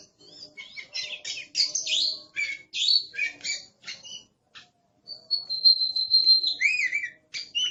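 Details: Aggressive Oriental magpie-robin singing loudly, fast scratchy chirps and buzzy phrases, then a long steady whistled note followed by wavering upslurred whistles.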